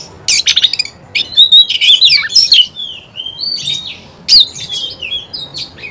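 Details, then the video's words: Oriental magpie-robin song opening with a burst of harsh rattling chirps, followed by clear slurred whistles and scattered chips with short pauses. "Kacer gacor"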